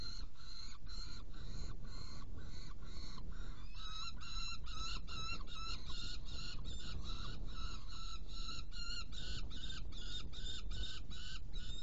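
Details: Saker falcon in Hungary on 16 June 2018, during prey delivery and feeding of two young: harsh, rasping calls repeated steadily about three times a second for the whole stretch, over a constant low rumble of background noise.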